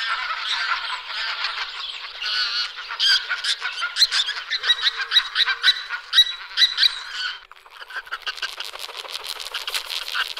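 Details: Pink-footed goose calls, a dense chorus of many overlapping high honks and yelps, loud and busy for about seven seconds, then a thinner stretch of scattered calls.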